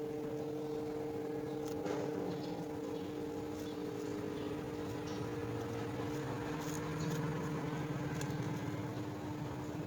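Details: Constant engine hum with steady tones and faint clicks, and no animal voice.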